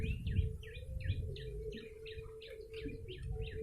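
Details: Yellow-bellied prinia lure call: bright, clipped chirps with bending pitch, repeated about three times a second, over a constant low hum and faint rumble.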